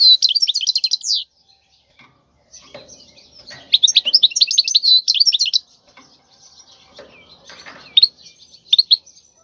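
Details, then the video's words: European goldfinch, wild bird, song for teaching young birds: quick twittering phrases at the start and middle, then a few scattered single high chirps with quiet faint rustling between. "تغريد الحسون البري لتدريب الفراخ"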